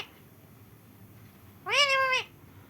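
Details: Flightless rescued parrot raised at home from a baby, one that learned to speak, gives a single drawn-out, rich nasal vocal note lasting about half a second against a quiet indoor background.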